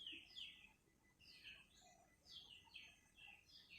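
Sooty-headed bulbul song: quick, bright slurred whistles and chirps, several each second in short bursts, over a faint hiss.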